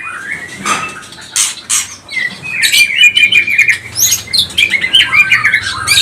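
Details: White-rumped shama song used as a lure to provoke other shamas: loud, varied whistled phrases with sharp chips and rapid rising and falling notes, delivered in quick bursts with brief pauses.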